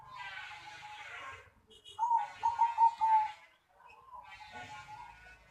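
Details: Zebra dove in the crocing style: a short clear run of four bubbling coos stands out against steady broadband background noise and faint murmuring before and after.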